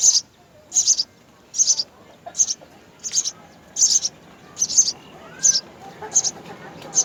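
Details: House sparrows, a mother and father feeding three young at the nest; high, thin chirps repeated about once per second in short bursts, with a faint low background hum.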